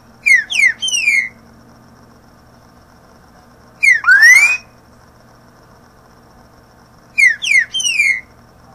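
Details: Green-winged saltator song played to teach young birds to sing: three loud whistled phrases of sharp downslurred and upslurred notes, repeated about every three and a half seconds, with a faint low hum behind.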